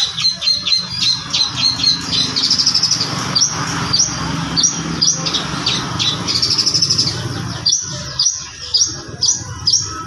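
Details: Young long-tailed shrike with a varied song: a rapid series of sharp high chips and squeaky notes over a heavy, constant background rumble.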